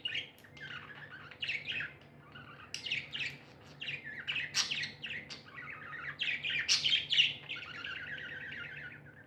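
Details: Chirping from happy pet budgies: fast warbled twittering with sharp clicks and short whistled notes, dense and nearly nonstop, in a small room.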